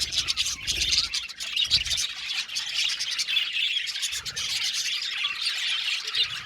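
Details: A budgie colony in an aviary chirps and squawks in a constant, high-pitched babble of short overlapping notes. Occasional low bumps and rustles sound beneath it.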